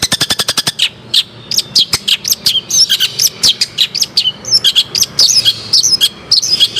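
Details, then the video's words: Shrike singing actively: opens with a fast series of sharp clicking ticks, then varied high chips and short whistled notes in quick succession, loud and close. "Burung Cendet Gacor"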